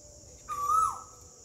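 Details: An Asian koel in a garden gives one clear whistled note that swells and rises slightly over half a second, then falls away, over a steady high insect-like hiss.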